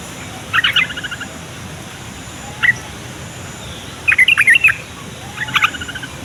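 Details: Yellow-vented bulbul song intended to coax young and silent bulbuls into singing and to pull wild birds near: bubbly chattering phrases, a single sharp note, then two more quick bursts, over light hiss.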